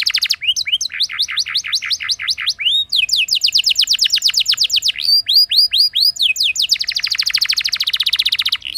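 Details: Canary singing a long, varied rolling song to set off other canaries: alternating runs of rising whistles and fast pulsed trills, ending in a sustained rapid roll.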